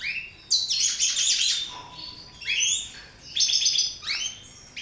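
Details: Mutation goldfinches singing: rapid, bright twittering phrases with buzzy, rattling bursts and sharp upswept and downswept notes, arriving in three dense runs separated by brief pauses, with a faint steady tone beneath the first phrases.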